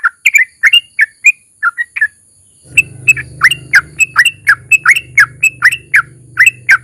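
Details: Yellow-vented bulbul (trucukan) singing as a lure for other bulbuls: scattered slurred chirps, a brief gap, then steady sharp whistled notes over a continuous low humming background.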